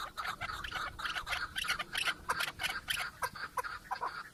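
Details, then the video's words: Chukar partridge giving quick, uneven bursts of harsh, chattering clucks, several notes a second, at moderate volume over a quiet background. "Keklik en güzel keklik sesi"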